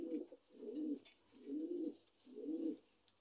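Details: Four clear, deep coos from young adult Lahore pigeons, each a smooth rounded note lasting about half a second and spaced roughly a second apart, in a quiet room.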